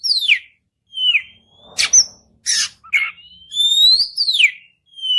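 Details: Oriental magpie-robin singing to prompt another bird to reply: clear, drawn-out whistles that slide down or level off, mixed with harsh scratchy bursts and short chips, separated by gaps of silence.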